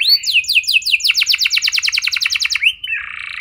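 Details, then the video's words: Canary song to trigger singing in other canaries: a run of downslurred whistles, then a rapid rhythmic trill of repeated notes, ending in a buzzy rolling phrase. "Pancingan Burung Kenari Biar Gacor Lagi! Cukup Sekali Putar Auto Gacor Panjang"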